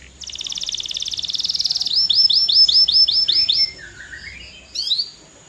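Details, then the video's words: Canary song opening with a buzzy rattling trill that swells in volume, followed by a row of quick descending whistles and a lower warbling phrase. "CANARY GOES CRAZY! 🔥 Powerful Singing Sound That Works"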